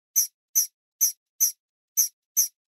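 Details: Chick chirping: six short, high, bright peeps spaced about half a second apart, each a clipped burst with clear silence between, no other sounds.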